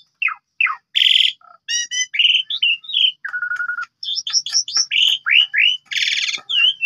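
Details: Varied chattering song of an Asian pied starling, meant as a tutor for other birds: descending whistles, harsh buzzy bursts, a flat nasal note and a brisk run of chirpy slurred whistles.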